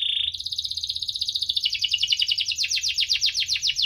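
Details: Energetic canary song, chirping and rolling, played to prompt lazy canaries to sing: a short steady whistle opens into a long rapid trill of sharp, downward-sweeping notes that grows louder.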